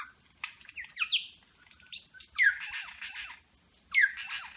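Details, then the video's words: Superb lyrebird in Berowra Valley National Park, mimicking eastern whipbird, red wattlebird, rainbow lorikeet, grey butcherbird, pied currawong and a motor turning over: a varied medley of sharp whistled downslurs, harsh broadband rasps and chattering bursts in separate phrases. "Lyrebird medley"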